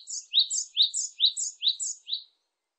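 Japanese tit singing a quick run of about five two-note phrases, a high thin note dropping to a lower ringing one, repeated roughly twice a second.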